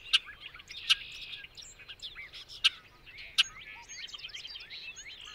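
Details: Bobolink giving a long effervescent song of quick gurgling, sliding notes, punctuated by loud sharp clicks roughly every second.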